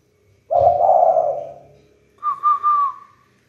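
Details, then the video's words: A captive spotted dove, still practising its call and succeeding only sometimes, gives a long, hoarse, falling coo, then three quick, soft, mellow notes run together. Nothing else is heard. "Cu gáy đang tập khiển khách, khi được lúc không"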